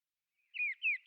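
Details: Whimbrel on annual migration through West Lancashire, UK, passing and roosting; two clear whistled notes, each slightly falling, given in quick succession after a short silence.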